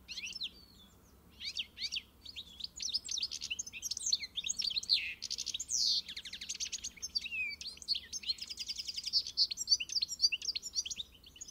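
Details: A European goldfinch sings a long animated sequence of twitters, slurred rising notes and extended buzzing trills, quieter opening bursts followed by nearly continuous song.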